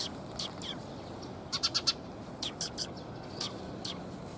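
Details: Sparrows coming to be fed at a Tenmangu shrine on 30 October 2021: short bright chirps, a quick cluster of four near the middle and scattered single notes, over a steady low background hum.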